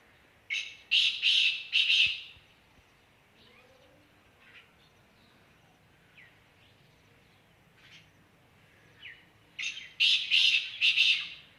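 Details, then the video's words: Black francolin (kala teetar) calling near Khushab, Pakistan: a group of three loud, harsh, grating notes, then a long quiet stretch with faint distant chirps, and another similar harsh three-note burst. "kala teeter ki awaz"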